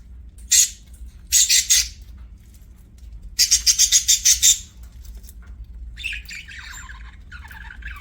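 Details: Budgerigar chirping: three bursts of rapid, evenly pulsed high chirps, with the last burst the longest, followed by softer scratchy warbling notes.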